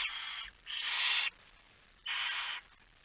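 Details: Nest of barn owls, night feeding on 10 September 2019 at 22:45: three drawn-out rasping hisses, each around half a second, separated by near-silent pauses.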